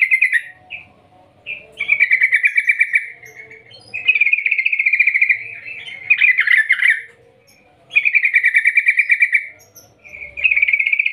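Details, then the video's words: Long ngerol ngetir 'gacor' calling of a trucukan, or yellow-vented bulbul, used as a lure so others sing; repeated loud buzzy rattling trills in bursts of one to two seconds, separated by brief quiet gaps. "Panggilan trucukan gacor Ngerol Ngetir panjang - Ampuh untuk pancingan trucukan agar bunyi gacor"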